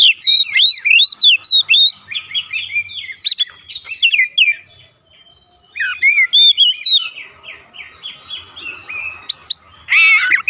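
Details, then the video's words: Oriental magpie-robin giving 'ngeplong gacor' song to stimulate magpie-robins at home: long strings of varied, fast whistled and slurred notes, broken by short pauses before resuming, with sharp high accents. "AUTO RESPON NGEPLONG GACOR KACER ANDA DIRUMAH"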